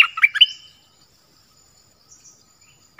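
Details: Dok taeng bird in its original voice: a quick run of chirped, slurred notes followed by a high thin trill, a pause, and one more sharp chirp at the end.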